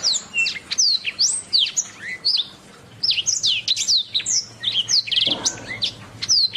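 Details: Canary song used as masteran for training songbirds: a string of high, downward-slurred whistles, a brief quiet pause, then more sweeping notes and a short, fast trill near the end.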